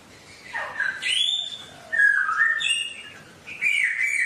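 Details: Wild-style songbird song meant for caged birds to practise daily: short phrases of clear whistles, one dipping downward, others steady and slightly rising, each burst lasting about a second with brief gaps between.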